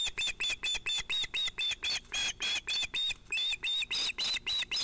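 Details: Sunset fish delivery at an osprey nest on 11 August 2018, with two ringed chicks. A rapid, unbroken stream of loud shrill piping notes runs about four per second throughout.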